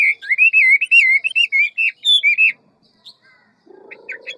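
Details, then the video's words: A large Chinese hwamei pours out a fast, forest-style song of many voices, loud, rich, varied whistles for about two seconds, then falls silent before a low buzzy noise. "Họa mi ngũ trường giọng rừng mau mỏ nhiều giọng"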